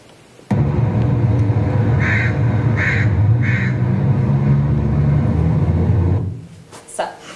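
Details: A crow gives a standard caw call of three harsh, evenly spaced syllables with two gaps, about half a second apart, over a steady low room hum.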